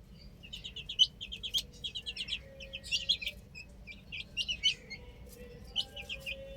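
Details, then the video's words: Chicks playing on a rooftop chirp in quick, high-pitched peeps that come in steady bursts, with a faint sustained low tone running through the background. "Adorable Chicks Chirping Sounds | Amazing Baby Hen Playing On Roof"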